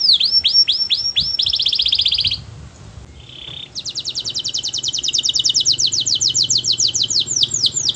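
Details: Canary song meant to set others singing along: hooked whistles and a dense rattling trill, a brief buzzy note after a pause, then a long, steady trill of bright repeated notes.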